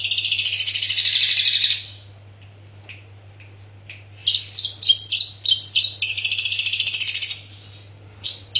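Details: Long-tailed shrike singing a mimicry-laden song, opening with a long harsh buzzy rattle, a pause, then rapid clipped high chips and another sustained grating stretch, a faint constant low hum throughout.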